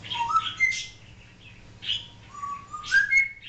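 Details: Domestic African grey parrot, said to talk, bark and make other noises, strings together rising whistled notes and raspy chirps in two quick bursts about two seconds apart.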